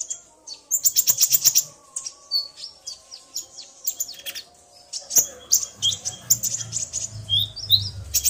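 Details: Male common iora singing after being provoked by a female's call, the pair answering each other: rapid high chirps, trills and short whistled notes in busy bursts, with a low hum in the background.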